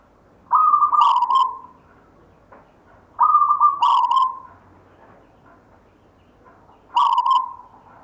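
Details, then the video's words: Inherited local zebra dove singing rhythmically: three longer whistled coo phrases with stepped, slightly falling notes, separated by pauses of about two seconds, little other noise. "perkutut LOKAL alam GAYER tinggalan SIMBAH suara irama"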